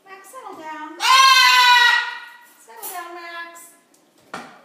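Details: A blue-and-gold macaw and a scarlet macaw talk indoors, with a quiet background, while dinner is being made: loud, raspy, nasal repeated phrases like "how are you" and "pretty bird", with sharp harmonic bursts.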